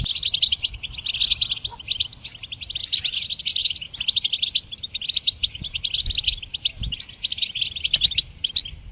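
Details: Singing goldfinch, used for training songbirds, delivering a lively, continuous twitter of high chirps, trills and short buzzy notes lasting nine seconds.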